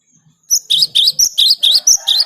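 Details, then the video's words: Cinereous tit, recorded for luring other birds: eight loud, high, clipped double notes repeated evenly at about four per second, clear against a silent background. "Suara Gelatik Batu ini Ampuh buat Pikat"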